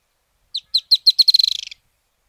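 Narrow-billed Woodcreeper song: high, sharp notes that start spaced and quickly speed up into a fast, slightly falling trill lasting just over a second. No other sounds.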